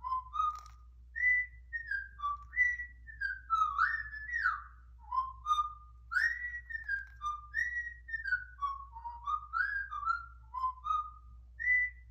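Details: A cockatiel learning to sing whistles a tuneful run of clear, sliding notes, rising and falling like a practiced melody.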